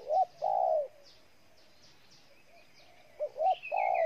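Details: Ninh Thuận spotted dove, Vietnam, cooing twice with a pause between; quick rising notes lead into a longer falling coo, while a thin higher whistle and faint chirps sound in the background.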